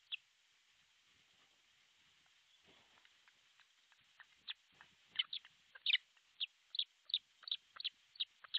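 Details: Osprey calling at an artificial nest in Finland's Pohjois Satakunta, nest camera, 6 July 2023 close to 12.31; near quiet for four seconds with faint rustling, then quickening high whistled yelps about two per second.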